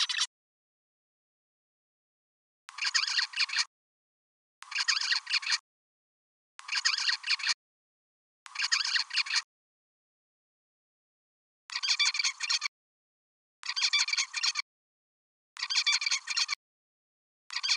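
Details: Zebra finch song, either a father's song or a juvenile's song (at 50, 70 or 120 days old) learned from memory of it: short buzzy, nasal phrases of stacked harmonics, repeated with clean silent gaps.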